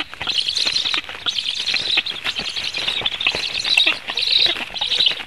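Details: Latvian black storks being fed on 17 July 2015 at 16:57 make high, fast, twittering pulsed calls in uneven bursts, with short breaks and crackling clicks throughout.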